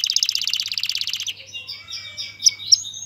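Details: Male canary singing to prepare a female for mating and spur her to build a nest: a rapid, even trill of high notes for over a second, then looser, scattered whistles and two sharp bright chips.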